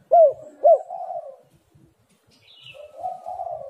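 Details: Spotted dove used as a calling lure: two loud arched coo notes open, then a soft burry trailing coo, a short silence, and another low rolling coo.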